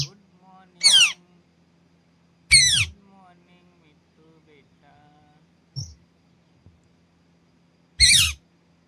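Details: Four harsh, rasping screeches from a pet green ringneck parrot, roughly one every two seconds, separated by faint murmured sounds in a quiet room.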